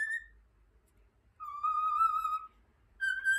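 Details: A cockatiel whistles pure, steady tones: a brief high note, a long held note, then a third note, like phrases of a learned tune; singing Over the Rainbow.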